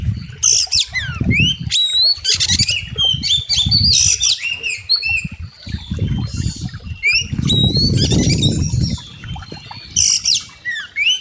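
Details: Kacer, oriental magpie-robin, training master: continuous varied song of sharp whistles, slurs and chatter, with low rumbling noise underneath in several stretches.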